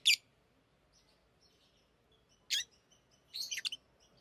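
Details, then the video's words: Pet lovebirds singing during ring play. A loud, shrill chirp opens, a second follows two and a half seconds later, then a rapid cluster of high, scratchy twitters. "Love birds Talking | Singing Sounds"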